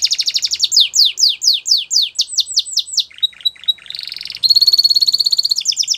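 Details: Belgian canary singing a varied song: rapid repeated downslurred whistles, then buzzy rattling trills and a fast, even, high rolling trill with overtones near the end.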